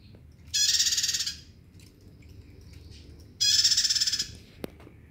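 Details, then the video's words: Loud, harsh, buzzing trills from a bar-winged prinia singing freely, two pulsed bursts near three seconds apart, followed by a sharp click; low hum throughout. "Prenjak gacor"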